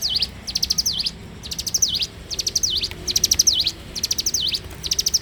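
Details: Loud, clear bar-winged prinia song in the morning: six crisp high phrases in quick succession, each a rattle of sharp notes topped by a dipping swoop, delivered about once a second against a quiet background.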